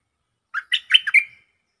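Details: Lure recording of a stripe-throated bulbul: a single lively phrase of five liquid, bouncing notes, the last stretched into a brief level whistle, with no other sounds.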